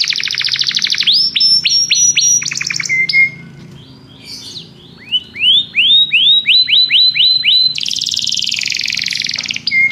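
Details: Belgian canary sings varied phrases: fast trills, repeated upswept notes, a short pause, then a string of rising whistled chirps and a dense buzzy high passage.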